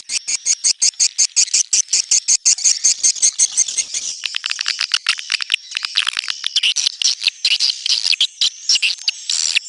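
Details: Swiftlets give a fast series of high, regular chirps, nearly three per second, in neutral sound, shifting midway into a denser, irregular chattering twitter.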